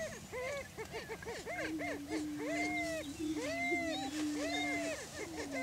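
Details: Greater prairie chickens displaying for breeding territory on a lek in Washington County, Kansas: a steady low moaning tone runs beneath repeated arched, whooping calls from several birds overlapping in a busy chorus.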